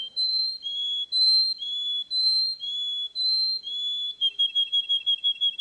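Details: Russian canary, the champion bird of a Russian canary championship, whistling long, clear, flute-like notes that alternate between two pitches about once a second, then breaking into a rapid, even trill; quiet background.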